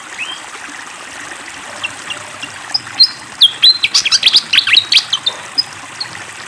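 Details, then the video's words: Malaysian pied fantail with flowing water sounds. After a quiet start, a burst of fast high chirps and thin whistles rises in the middle, then fades to scattered single notes, with a steady watery hiss throughout. "SUARA BURUNG SIKATAN KIPASS GACOR DENGAN SUARA AIR MENGALIR"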